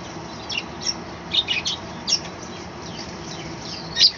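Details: Balcony colony of pet budgerigars in the morning, giving scattered high, thin chirps and short scratchy warbles, several in quick succession, then a louder final squeak.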